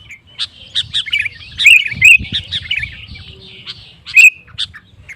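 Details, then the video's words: Sooty-headed bulbul singing vigorously to provoke rival males into singing: busy run of short whistled and chirping notes, with some notes slurred and rising, over a low background rumble. "Suara Burung KUTILANG GACOR Memancing Lawan Kutilang Lain Emosi Ikut Gacor"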